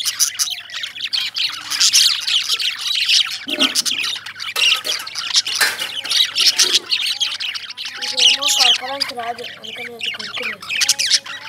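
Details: Lovebirds in a noisy chorus of shrill, high chirps and harsh squawks, continuous and overlapping, with a few lower wavering tones toward the end.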